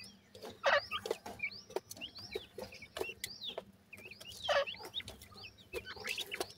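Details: A group of grey francolin chicks peeping busily, many arched high chirps overlapping, with bursts of rustling and clicks and a low electrical hum.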